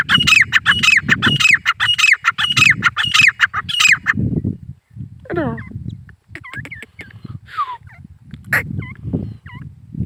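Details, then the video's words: Male grey francolin calling: about four seconds of loud, harsh, harmonic notes repeated roughly twice a second. Scattered thin whistles, clicks and softer chirps follow, over low background rumble. "Nar Teetar ki Awaz boli calling gray Francolin voice Partridge sounds"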